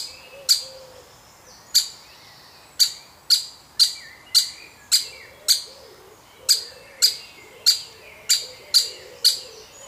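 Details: Woodpecker chick being fed within its family; bright, staccato high chirps, mostly one or two per second with a short gap early on, over quiet low warbling.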